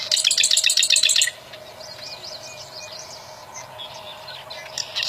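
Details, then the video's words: Bar-winged prinia in the wild opens with a loud, fast, buzzy run of high pulsed chips, then falls to faint, thin, wavering notes before a brief loud note at the end. "Burung Prenjak Alam Liar mantap"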